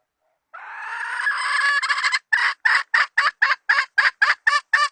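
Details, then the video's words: Decoy hen used for trapping, 2020 season: one long harsh drawn-out note, then loud clipped clucks repeated about four times a second, steady and insistent, no other sounds. "Tiếng gà mồi mái mới nhất mùa 2020..suab poj qaib seev"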